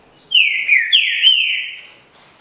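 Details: Green-winged saltator, a bred bird from legal, authorized captive breeding, singing the Paraná 'canto liso' style. It gives one loud, rich whistled phrase of two sweeping notes, each sliding down then up, ending in a long, level, fading whistle.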